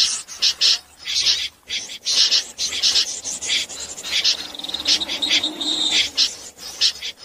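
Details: Common snipe calling at night as a net-trapping lure: quick harsh scraping notes, joined midway by a thin, steady whistled tone lasting about a second.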